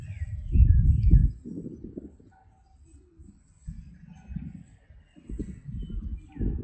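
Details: Pigeons giving low, throaty cooing in uneven bursts, a loud run at the start, then quieter rumbling phrases after a pause, with faint chirps of small birds in the background.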